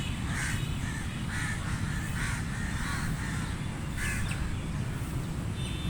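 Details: Scattered hoarse caws from crows at feeding time, irregularly spaced, with a persistent deep background drone.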